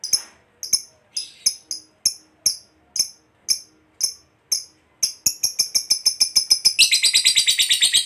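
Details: Lovebird fighter ngekek call played as a lure for other lovebirds to answer: sharp, high ticking notes spaced under a second apart speed up steadily, then merge into a dense, rattling trill over the last second.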